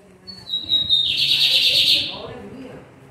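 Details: Lined seedeater from a quartet of birds gives a high whistled lead-in followed by a steady, rasping buzzy trill of about a second, with faint low background noise.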